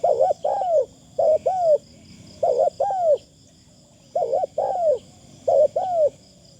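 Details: Spotted dove used as a decoy, calling with thin, pleasant phrasing: five rapid coo phrases in about six seconds, each a double hoot plus a longer descending coo, over a faint high steady hum.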